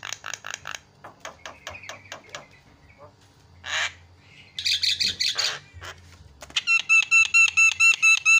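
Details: Javan myna calls serving as a lure to get other birds calling: rattling harsh notes, a raspy burst, rapid chatter, then a fast even series of sharp squawky notes.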